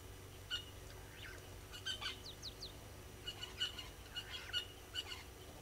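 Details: Helmeted guineafowl at Gowrie dam waterhole, Djuma Game Reserve, Sabi Sand, South Africa, 06:26 on 25 April 2022, giving harsh, grating notes in quick irregular bursts over a low background rumble.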